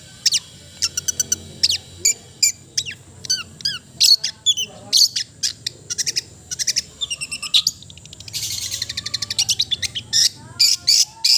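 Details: Varied melodious song of a long-tailed shrike (cendet), mixing high trills, sharp chirps and looping whistles in quick succession, with a brief buzzy rattle near the end.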